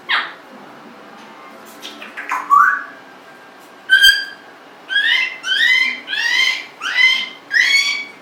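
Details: Congo African grey parrot, 1.5 years old, kept as an indoor pet, makes a soft call, then a run of bright rising whistles, six or so in quick succession, each sliding upward, in a quiet room.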